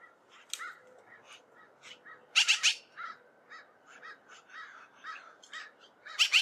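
Magpie giving soft, scattered chattering notes, broken by a loud harsh double burst midway and another at the end. No other sounds stand out.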